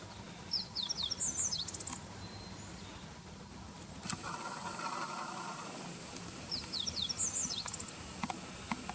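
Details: Two repeated song phrases of a Meadow bunting, recorded in late March at the Hiroshima Prefecture Greening Center. Each is a fast run of high, sweeping chirps ending in a dry trill, about six seconds apart, with a brief clatter and noise between them.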